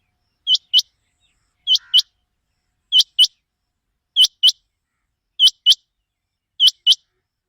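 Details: A quail gives sharp, high paired notes, two quick chips repeated about every 1.2 seconds, with no other sounds; a call used as a lure for quail hunting.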